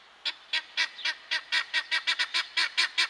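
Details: Male guineafowl uttering about thirteen loud, hoarse, buzzy notes in three seconds, each a short grating squawk in a fairly even, slightly uneven rhythm.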